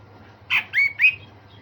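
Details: Brief phrase from a grey-cheeked bulbul singing rough 'besetan' and sharp 'tembakan' notes: one harsh squawk followed by two rising whistled, slurred notes in quick succession.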